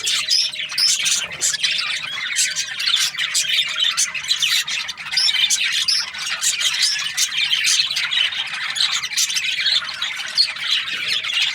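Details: Australian budgies chatter steadily, giving quick squeaky chirps and raspy warbles in a thick overlapping stream. A faint steady tone hums beneath at times.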